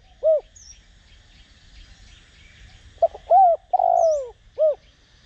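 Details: Spotted dove decoy bird cooing in the Đồng Rặc voice style, used to provoke wild doves into cooing. A lone short coo, a pause, then a stuttered note, a rising coo and a long drawn-out falling coo, ending with another short coo.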